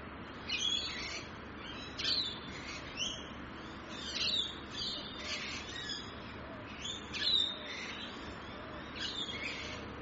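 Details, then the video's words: Rainbow lorikeets in Australia: harsh, screechy squawks in short bursts roughly every second, some with a brief whistled note, over steady low background hiss. "Rainbow Lorikeets Australia | Bird Sounds"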